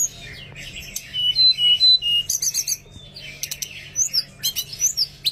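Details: Oriental magpie-robin song meant to stir lazy birds to sing: clear high whistled notes and quick scratchy chips in short bursts, with sharp clicks and brief pauses, a low steady hum beneath.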